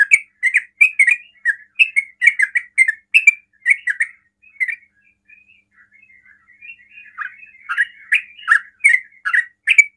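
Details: Sooty-headed bulbul singing rapidly to provoke other bulbuls: a string of whistled chirps, then a soft warbling passage, then loud slurred notes again at a brisk pace.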